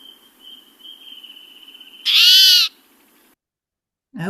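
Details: A Spotted Towhee gives its call, not its song: one harsh, nasal, cat-like mew that rises and falls over half a second, after a faint steady whistle-like tone.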